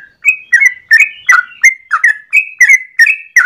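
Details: Morning 'ropel' song of a yellow-vented bulbul, used as a master recording to train birds or as a lure: ten rhythmic bubbly notes in sequence, alternating rising whistles and lower burry slurs, clean and unaccompanied.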